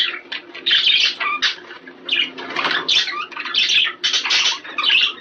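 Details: Budgerigars chattering, a sound for prompting breeding: choppy bursts of squeaky warbles and short whistled notes, several birds overlapping, with quieter moments between the louder runs.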